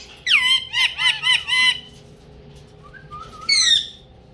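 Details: Talking pet ringneck parrot using Urdu and Hindi; four loud harsh rhythmic squawking syllables in a row, a quiet pause with soft murmured notes, then one more grating squawk.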